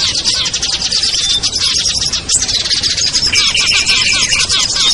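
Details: Small birds in a lure-call mix meant to draw birds down, featuring ciblek, kutilang, trucuk, sogon and perenjak: a dense, unbroken wall of high chirps and twitters, with many birds calling at once.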